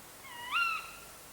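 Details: Young tawny owl, which perches on branches after leaving the nest and calls on summer nights, giving one drawn-out, rising call that levels off and fades, harmonic and slightly wheezy, over a quiet background hiss.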